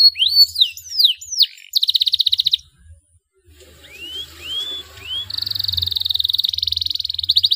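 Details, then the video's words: Energetic 'gacor dor' canary song used to prompt young canaries to sing. Swooping whistled notes lead into a fast rattling trill, a short silence, three upward-curving whistles, then a long sustained rapid trill over faint low rumble. "CUITAN KENARI 7 !! KENARI GACOR DOR PANCINGAN JITU KENARI BAHAN"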